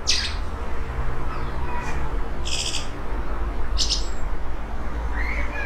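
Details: Eurasian blackbird that nests in a yard in Portugal sings an unusually soft, rarely heard song at the end of the day while watching from about 5 meters away. Short squeaky high bursts come every second or so, then a rising whistle, over a low steady hum.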